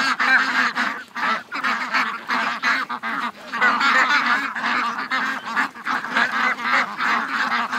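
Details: Over 700 ducks and geese rushing to the lake one August 2015 morning, calling nonstop; harsh overlapping quacks and honks swell and dip in uneven waves with short pauses.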